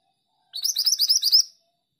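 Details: A female Pied Bushchat singing actively gives one quick, high, scratchy twittering phrase of about eight tightly spaced notes lasting a second; surroundings otherwise quiet.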